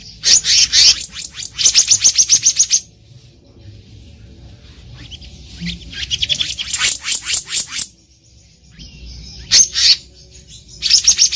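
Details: Black-naped monarch calling in the wild, recorded for use as a trapping lure: bursts of rapid, harsh, high chattering notes lasting one to two seconds, separated by short pauses, over faint background rustle.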